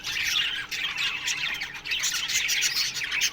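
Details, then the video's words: Budgerigars in an aviary colony in the morning, a dense continuous chatter of high scratchy chirps and squawks from many birds overlapping without pause. "Budgies Morning Chirping Sounds"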